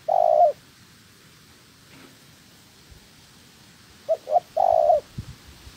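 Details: Spotted dove kept as a decoy for trapping, trained with a second newly caught female. A loud long coo opens the clip, then after a quiet pause two short notes and another long rolled coo follow, with a few soft knocks.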